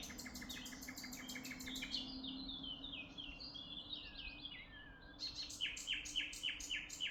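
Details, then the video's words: Chirping birds in Tuzla, opening with a fast run of repeated sharp notes, then a sliding, descending twitter, and ending with another quick burst of rapid repeated chirps over low steady background noise. "amazing birds chirping sound in Tuzla"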